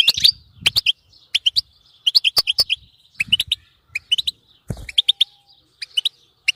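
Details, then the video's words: Goldfinch song meant to keep a European goldfinch singing nonstop: crisp, rapid two- and three-note twittering phrases, liquid and high, coming in short bursts with brief gaps and occasional clicks. "بتبتة تخلي حسونك لا يعرف الصمت"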